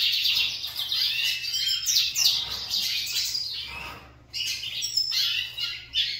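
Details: Several kept lined seedeaters competing in song: rapid, overlapping high twittering and buzzy trills, with a brief pause near the fourth second before the phrases resume. A faint low hum runs underneath.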